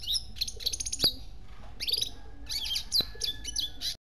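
A red siskin's fast, twittering song of high chirps and buzzy trills comes in quick bursts, with a couple of sharp clicks and a faint low hum behind.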